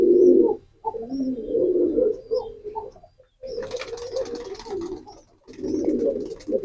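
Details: Pigeon coos run in deep, purring, warbling phrases separated by brief silences. A burst of rustling noise sounds midway, with a few faint high chirps.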